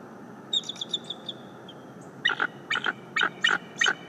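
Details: At the nest at dawn, a bald eagle's greeting call on a live camera: a soft run of thin, high pips, then about five louder, harsher double chirps spaced evenly under half a second apart.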